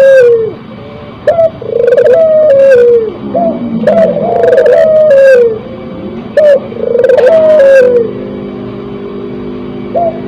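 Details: Spotted dove, crossbred and in breeding condition, delivering low rolling coo phrases, a short note then a drawn-out hoot, with sharp higher chirps over them and a lower droning tone near the end.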